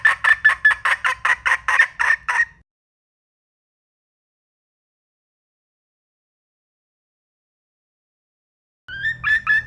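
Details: Red junglefowl hen giving a burst of rapid, evenly spaced clucking notes for about two and a half seconds. After a long silence, another short run of similar clucks begins.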